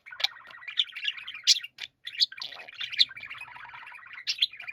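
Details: Several budgerigars chorusing, a continuous burbling warble dotted with sharp, bright chirps at irregular intervals and one brief silent break.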